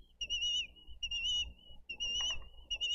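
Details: At a Dade County bald eagle nest on 22 April 2023, during a feeding visit when adults deliver fish to the eaglets: long, high, steady whistled notes, some ending in a downward slur, repeated about once per second over low hum.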